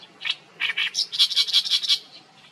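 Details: Oriental reed warbler singing with beak wide open, lively: a harsh, grating burst of rapid repeated chattering notes, a few rough syllables then a fast run of about eight scratchy notes, over a low background hum.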